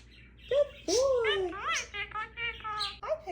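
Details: A pet Indian Ringneck (rose-ringed parakeet) doing its knock-knock routine talks in a clipped, nasal voice, a quick run of word-like phrases such as 'who's there' with rising and falling squawky tones.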